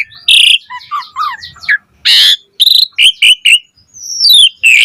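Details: Lure song of an Asian pied starling singing 'gacor' with rich, varied material: harsh buzzy bursts mixed with quick warbled notes, loud rasping chatters, then sharp clipped whistles and a long descending whistled slide.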